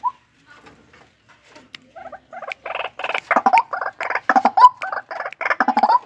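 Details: White-breasted waterhen kept in a breeding enclosure. Soft, scattered notes build into a loud series of harsh, throaty croaks repeated rapidly toward the end.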